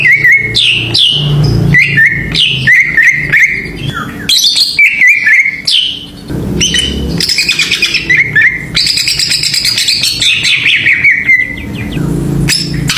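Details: Greater green leafbird lure song for provoking other birds: varied whistles and slurred descending notes, followed by long buzzy rattling trills, ending in a sharp high note, with a low hum underneath.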